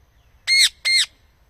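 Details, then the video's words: Parrot giving two loud, harsh squawks in quick succession, each about a quarter second long, with a slightly arched tone and no other sounds. "parrot nice voice talk"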